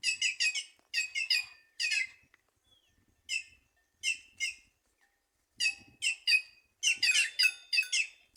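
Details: A white-naped jay sings in trees at Simões, Piauí, northeastern Brazil. It gives short, metallic, nasal notes in clusters of two to four, each cluster separated by brief pauses, with a quiet background.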